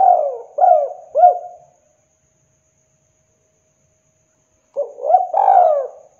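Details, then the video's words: Spotted dove call played to attract wild doves: a phrase of three mellow hooting coos, silence for about three seconds, then a rougher, louder burst of coos with a drawn-out final note. "PANCINGAN TEKUKUR TERAMPUH | Masteran Derkuku Gacor Cocok Untuk Pancingan / Pikat"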